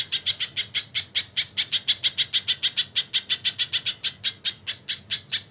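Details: Crested jay with kingfisher-type call fills, delivering a fast, slightly uneven series of coarse, buzzy notes, roughly five per second, over a quiet background.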